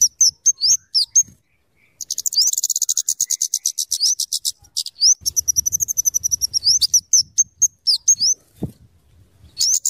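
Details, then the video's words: Scarlet-headed flowerpecker (kemade or cabe cabean) singing actively. Its voice is used as a lure and as a tutor for other birds. Very high, sharp ticking notes come in fast rattling bursts, mixed with short rising slurred whistles, with brief gaps between runs. "suara burung kemade atau cabe cabean gacor cocok untuk pikat dan Masteran"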